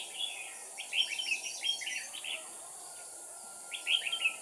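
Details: Red-whiskered bulbul serving as a decoy bird, singing to provoke rivals: two bouts of fast, bright whistled notes, the first longer, separated by a pause, over a constant background hiss.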